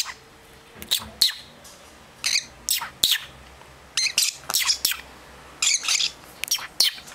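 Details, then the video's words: Young lovebirds from a second brood kept as pets, making short scratchy rasping calls in uneven clusters, each burst lasting well under a second and broken by quiet pauses. "2nd Batch of Baby Lovebirds"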